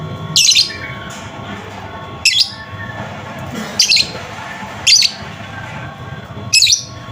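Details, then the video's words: Lovebird chirps for prompting a quiet lovebird into song: five harsh high chirps spread over several seconds, each brief and bright, above a constant low room hum. "pancingan Lovebird macet bunyi"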